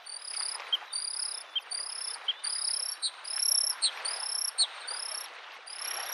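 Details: Bluethroat singing by a spring lake, a run of high metallic buzzy notes repeated rhythmically roughly every 0.7 seconds, mixed with short lower clicks, over continuous soft wave noise.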